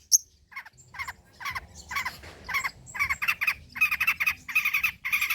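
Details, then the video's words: Long-tailed shrike (pentet trotol) in old-style song material for luring and tutoring birds: repeated harsh, nasal squawking notes in a steady series that grows denser and louder toward the end. "BURUNG CENDET MATERI JADUL BONGKAR MATERI MEWAH"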